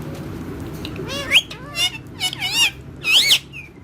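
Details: Pet parrot having fun with other parrots, giving three bursts of harsh, wavering harmonic squawks and chatter, the last ending in a high clear note; a person says a word just after.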